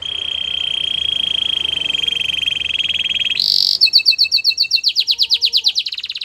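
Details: White Belgian canary in song, holding a long smooth buzzy roll before breaking into a high burst and a rhythmic series of clear, rising-and-falling whistled notes.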